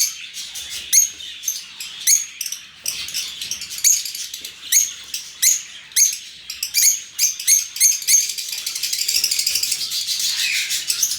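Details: Lovebirds in an open aviary giving sharp, squeaky, rising calls spaced irregularly about half a second to a second apart, ending in a steady fast buzzy chatter.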